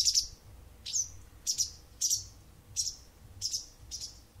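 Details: Wild bird singing to an indoor cat morning and evening for almost a month; bright high chirps, several doubled, falling in pitch, spaced irregularly about half a second apart over a faint hum.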